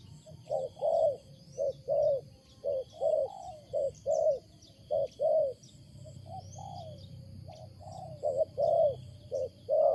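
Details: Spotted dove in the wild with a loud, strange coo: spaced husky coos in small groups, a quieter stretch with low background hum, then renewed calling and faint high bird chirps.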